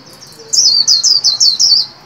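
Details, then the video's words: Caged white-eye, trained singer, new year 2021: a quick run of six bright, high downslurred notes, evenly spaced and loud against a quiet background. "Vành khuyên líu hay đón mừng năm mới 2021! Cùng kích bổi luyện khuyên nào!"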